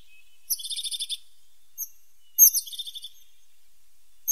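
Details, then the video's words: A tit singing in nature: two short, very high trilled phrases of rapid, evenly spaced notes, each lasting about half a second and roughly two seconds apart, with a lone note between them, over a quiet background. "The sound of a pointed tit 's voice"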